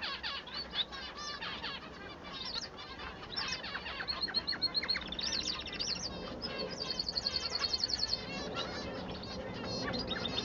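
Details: Male society finch singing, to tell him from the female; varied buzzy chatter gives way to a long, even rattling trill of rapidly repeated notes, then more scratchy warbling.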